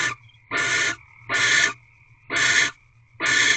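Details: Wild barn owls in their Corral nest box during the mating ritual on the night of 24 February 2023. Five drawn-out, breathy screeches are evenly spaced, with a faint thin tone audible in the gaps.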